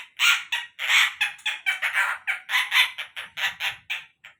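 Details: Collared kingfisher calling in a rapid, steady series of loud, harsh, raspy notes, about fifteen in four and a half seconds, slightly fading toward the end.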